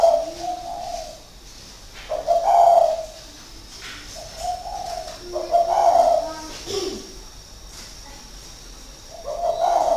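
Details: Six-year caged decoy spotted dove, Ba Vì, northern Vietnam: repeated low throaty coo phrases, each about a second long, separated by short quiet gaps, with brief faint voices in the background.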